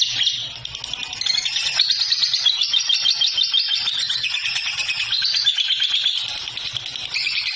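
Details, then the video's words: Lovebird singing after being given a natural tonic, a long rapid chattering warble of high, harsh twittering notes, dense and continuous for several seconds. "doping alami love bird bikin langsung gacor"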